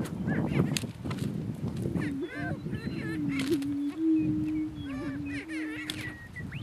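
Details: A dominance battle between male Greater Prairie Chickens on a northeast Kansas lek, with a steady low moan and bursts of quick, nasal cackling whoops stacked in harmonics.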